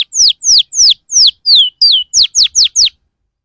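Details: Lure song for young canaries learning the ngriwik cuit-cuit phrase: ten loud, sharply descending sweeping notes, roughly three to four per second, then silence.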